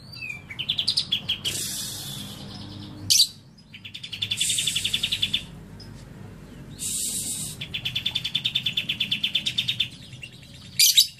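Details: Lovebird with cililin fill (isian cililin) giving repeated bursts of fast, high, rattling trills a few seconds long, broken by short pauses and a sharp high chirp near the end.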